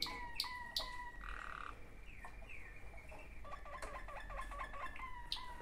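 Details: Two sibling Waterslager canaries: sliding whistled notes and short glides break into a rapid pulsed bubbling trill, with sharp clicks between phrases and low rumbling background noise.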